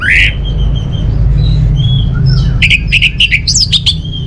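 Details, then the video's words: Orange-headed thrush in captivity in Bali: a loud rising note, then soft thin whistles, ending in a quick series of sharp, varied notes, over a persistent low rumbling background. "Suara ANIS MERAH"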